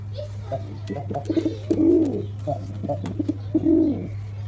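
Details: Black pigeon calling with short bobbing notes and two longer arched low coos, repeated pattern, steady low hum behind.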